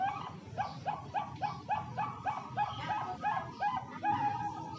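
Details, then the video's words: Bangkok-type zebra dove (perkutut) kept for singing competitions in Jepara, Central Java: continuous run of quick, rolling coo notes repeating roughly every half second, with steady low rumble underneath. "Perkutut bangkok suara merdu"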